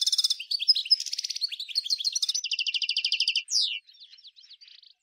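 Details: Goldfinch 'nature' song from Souk Ahras (Taghast), Algeria, 1995: rapid chattering phrases leading into a long, even, rattling trill, a sharp descending note, then sparse soft chirps.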